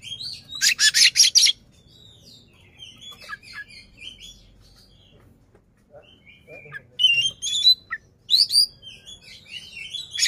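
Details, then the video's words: Caged white-rumped shama, kacer, playing with open tail to make a rival more agitated; an opening run of harsh buzzy bursts, a quieter mix of scattered chirps, then loud sharp whistled notes returning. "KACER NGEPLAY BUKA EKOR BIKIN LAWAN TAMBAH EMOSI"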